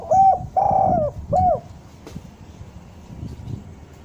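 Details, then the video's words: A spotted dove cooing, its voice used as a lure so that doves come down. A short coo, a longer drawn-out coo and a brief falling coo follow one another quickly, then low rumbling background noise. "Suara derkuku bahan ini sangat pas untuk pancingan tekukur pikat agar mau turun"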